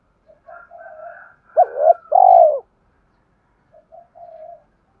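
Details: Spotted dove call played to stir decoy birds in training: soft low coos lead into a loud double note and a long drawn-out coo, then quieter coos trail off.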